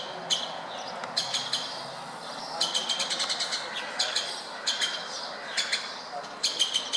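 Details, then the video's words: Wild woodpeckers outside a window in Bucharest's Berceni district, Romania, delivering a fast rattling run of sharp kik notes mid-clip, with scattered single and paired calls before and after. "Woodpecker talk"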